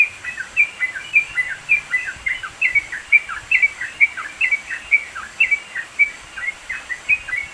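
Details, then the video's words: Sooty-headed bulbul singing vigorously in the mountains of East Java, recorded as a training tutor for songbirds: quick bubbly chirped notes, each bright note paired with a lower slurred note, given steadily about once a second over a soft rural hiss. "masteran trucukan gacor"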